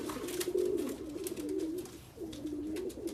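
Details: Persian pigeons, a fancy domestic breed, cooing indoors: low, throaty rolling coos in several drawn-out phrases with brief pauses between them, plus faint clicks and rustling in a small room.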